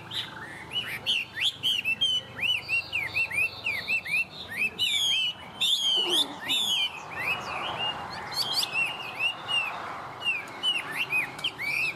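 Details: Vietnamese tame hwamei in strong song: dense chains of whistled upslurs and downslurs, mixed with sharp rising sweeps, delivered almost nonstop, with a softer rustling sound in the middle.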